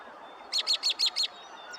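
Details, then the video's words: In spring in Pennsylvania, American Robins call out: a quick series of five sharp, high chirping notes. "The American Robins were calling out."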